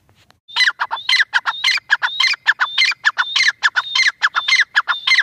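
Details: Two francolins, Iranian teetar, calling: after a brief quiet start, dense loud harsh chatter with repeated whistled downslurred notes, steady fast rhythm throughout.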